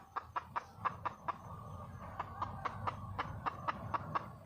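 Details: Wild junglefowl hen calling for a male: about sixteen short, evenly spaced clucks over four seconds, set against a steady low rumbling background noise.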